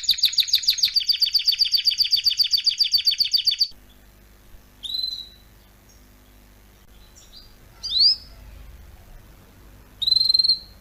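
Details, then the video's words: Canary song meant for teaching young canaries to sing: a fast, even trill of high notes for nearly four seconds, then separate short whistled and sweeping notes spaced over the rest. "meilleur chant de canari pour l'écolage"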